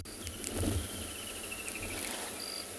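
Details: Woodland kingfisher calling on a sunrise game drive on 2 December at Tswalu Kalahari Reserve, South Africa, after overnight rain: a high, descending trill of quick repeated notes dropping over about two seconds, over low vehicle rumble and insect hiss.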